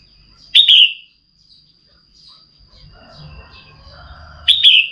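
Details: Female red-whiskered bulbul (Pycnonotus jocosus) calling to stimulate a male to sing: two short, bright, slurred calls about four seconds apart, over a steady high whine and a faint low murmur.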